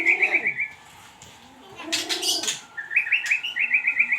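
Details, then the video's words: White-rumped shama lure song: quick, rolling trills of bright chirped notes at the start and again after a noisy break, with a low warbling tone and a burst of broad rustling in between. "pancingan suara buung muray batu"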